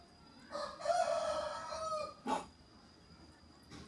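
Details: Chattering myna imitating a spoken greeting: a sustained, nasal, harmonic phrase lasting more than a second, followed by a short burst and quiet room background.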